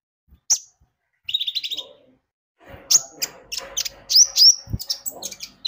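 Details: Javan white-eye, a lively singing bird used as a lure to set other birds singing: brief high chirps, then a rapid run of sharp, high, twittering notes with fast slurred whistles toward the end.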